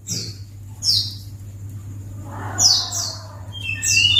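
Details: Pleci (white-eye) calls played to lure other white-eyes: a few scattered high, descending chirps, with a lower wavering sound in the middle and a brief lower whistle near the end, over a noticeable hum and background noise.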